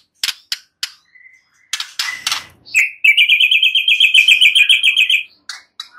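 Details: White-rumped shama with a few sharp clicks and snaps, then a loud, even, rapid trill of repeated notes lasting about two seconds, followed by more clicks.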